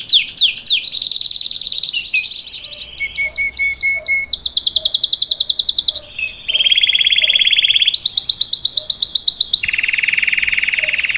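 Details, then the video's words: Salsa canary singing live for a young bird to learn; varied high trills, brief low whistled notes, then long low rolling tours alternating with bright rapid chips. "Melhor canário salsa cantando para ensinar seu filhote a cantar/salsa canary singing live"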